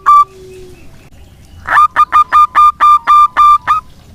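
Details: Zebra dove, a local bird, sings to draw song from silent doves: one isolated coo, a pause, then nine loud staccato cooing notes in quick succession.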